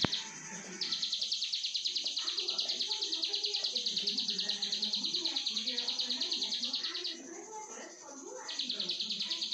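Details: Ciblek sawah, or plain prinia, in long 'brenn' song: a sustained run of fast high buzzy notes lasting over six seconds, a short break, then the buzzing starts again, with low rumbling noise beneath.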